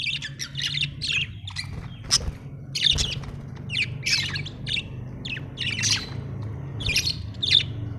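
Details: A budgie, called happy, chirps in short repeated bursts of sharp, squeaky twitters about every half second, over a steady low mechanical hum.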